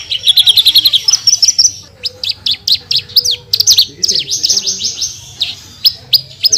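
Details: Australasian bush lark (branjangan) singing nonstop in a full-burst style: dense, rapid high chirps and buzzy trills, with quick rising and falling sweeps and sharp ticking notes tumbling together without pause.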